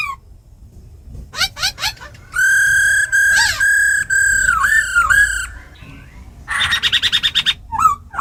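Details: Forest-style song of a kept laughingthrush, with female calls, used to excite other birds: quick upslurred chips, a run of long clear whistles with dipping ends, then a buzzy fast series of repeated notes.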